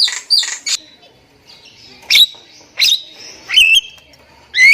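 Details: Lure recording of a Javan myna that sings constantly: loud separated shrieks and twisting whistled notes, some sliding up, with quiet gaps between.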